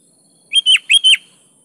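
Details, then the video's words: Sooty-headed bulbul giving a lively gacor song meant to provoke quiet birds into singing: two rapid bubbly phrases of clear, slurred whistles, clean background. "KUTILANG malas Ikut GACOR di PANCING SUARA BURUNG KUTILANG GACOR ini"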